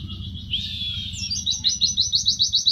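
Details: Mountain white-eye in tembakan song for training: a thin sustained whistle, then a fast series of high chirped notes about six per second, over a low background hum.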